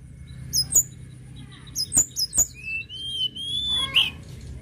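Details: Sunda robin in lively, full song: thin high whistles and sharp chirps, a few clipped notes, then long, even, slightly rising whistles near the end, with scattered clicks.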